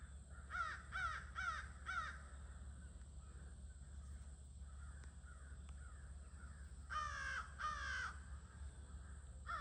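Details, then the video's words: Crows at an evening gathering on 22 August, mostly hidden in trees with a few visible, give harsh, hoarse caws in quick runs of three or four, with fainter birds calling between, over a steady low rumble. "Sounds of the Near-Evening Crow Gathering"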